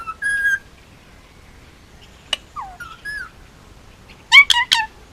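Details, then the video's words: Male Indian ringneck parakeet, almost two years old and hand-raised on Oahu, Hawaii, making varied soft whistles, a flat whistled note, a falling slur and a click, then two louder harsh squawks at the end. "Indian ringneck talking and making noises"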